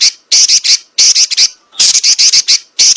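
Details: Female Oriental magpie-robin in a "nyerecet" rolling call, recorded for songbird training. Grating, raspy notes follow one another in quick clusters of three to five, separated by brief silences.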